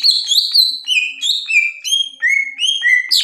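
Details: Caged greater green leafbird in full song, a rapid chain of rich whistled slurs, each note sliding up then dropping, stepping lower across the phrase with bright rising notes at the end.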